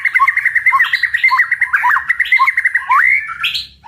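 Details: White-rumped shama giving a very strong 'tạch' song, played to provoke other birds to fight: a fast, dense run of sharp chattering notes with a few slurred, whistled notes mixed in, continuing for about four seconds.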